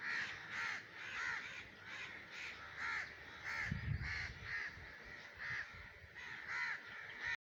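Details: Harsh, hoarse caws from a common raven in breeding season, repeated rapidly about twice a second in a steady series, with a brief low rumble partway through.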